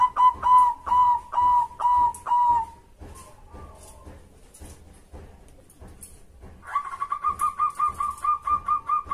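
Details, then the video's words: Local zebra dove (perkutut) song played to provoke other doves to sing: a run of rapid repeated coos, a quiet pause, then a second longer burst of quick even coo notes at a slightly higher pitch. "Rekomendasi Pancingan Suara Perkutut Bikin Nyaut"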